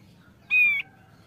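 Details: A male Thick-billed white-eye that sings often gives a single clear whistled note, slightly falling, about a third of a second long, over a quiet background.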